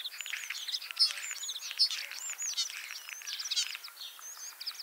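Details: Ringed common starling in Liepāja, Latvia, back for a third spring after banding in Lithuania; continuous chattering song mixing thin high whistled slurs, crackling clicks and squeaky notes in a busy, unbroken stream.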